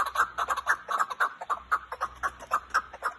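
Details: Chukar partridge from Kazakhstan, called a dumastaka and the best chukar: loud, rhythmic chuk notes repeated about twice a second, each a short burst of clucking syllables, with light background hum.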